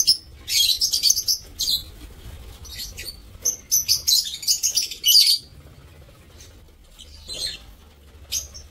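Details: Several lovebirds in an aviary, recorded 7 April 2024, trade shrill high chirps in quick clustered bursts, then fall quieter with a few scattered calls; a low hum continues beneath.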